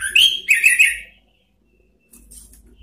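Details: Orange-headed thrush singing its rival-provoking ngeplong song: a brisk, tumbling burst of whistled and chirping notes for about a second, then silence and a faint low rumble.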